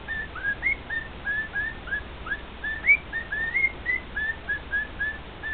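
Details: Male pet cockatiel whistling a song to two other cockatiels: a lively, uneven sequence of bright, clear whistled notes, many rising or up-slurred, with occasional louder swoops, continuing throughout.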